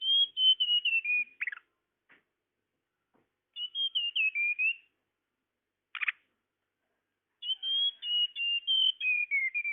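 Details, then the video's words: Tledekan (flycatcher) call used as a lure to attract birds: clear high whistled phrases, each sliding gently downward in a wavering line, given in three bursts separated by pauses, with a few short sharp chip notes between. "Suara pikat burung tledekan"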